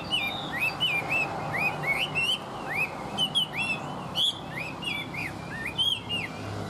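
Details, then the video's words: Tame Chinese hwamei singing well: a lively stream of bright, slurred whistles, upward sweeps and arched notes in quick succession, with occasional sharper high accents and light low hum behind. "Họa mi thuần hót tốt"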